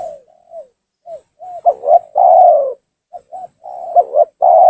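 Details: Spotted dove lure call, loud and lively, used in bird trapping to draw rival doves down and provoke them: soft short coos building into louder stuttered notes and a long falling coo, phrases repeating at irregular gaps.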